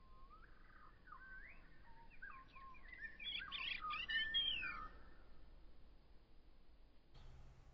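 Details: A male robin, chest puffed while courting a female, gives thin, warbled whistles that slide up and down, growing busier and louder for about five seconds before fading to quiet.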